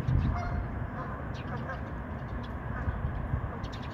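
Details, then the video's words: A flock of over twenty geese on a pond; hoarse honks blend into an unbroken clamour, loudest at the start, over constant low background rumble. "20+ geese on pond"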